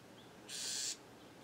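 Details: Harsh buzzy rasp from a Bewick's wren nesting in a clothespin bag in California. One noisy, broad burst lasts roughly half a second, with near silence before and after.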